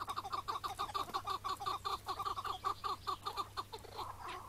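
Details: Chukar partridge calling on a May morning in 2017 during a hunt in which the bird was caught and then set free. Fast, evenly spaced throaty chuck notes repeat roughly three times a second, then trail off.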